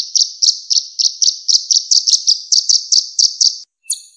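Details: Purple-throated sunbird (kolibri ninja) delivering a clear high series of about fifteen separate chipping notes, spaced roughly four per second, followed by a short silence and a sharp higher note. No background sounds.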